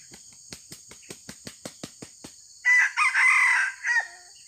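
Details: A wild red junglefowl during a lure-trapping session: a short, hoarse, broken crow after a run of about a dozen dry taps, against a steady high insect drone.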